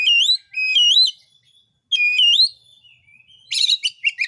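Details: Oriental magpie-robin in lively song, meant to provoke other magpie-robins into singing: clear upslurred whistles with rising and falling inflections, a pause, more whistles, then a burst of harsh scratchy chatter.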